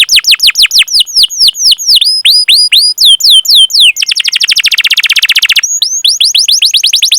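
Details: Singing canary, a lure for young, untrained or non-singing canaries: a series of clear high chirps sweeping downward, then a rapid even rolling trill for almost two seconds, followed by more sweeping chirps.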